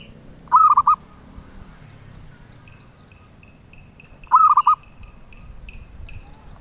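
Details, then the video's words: Zebra dove, a songbird prized by collectors, gives two short bursts of mellow, rolling cooing notes about four seconds apart, each under half a second, with a faint, steady high ticking in the background between phrases. "Suara Merdu Burung Perkutut"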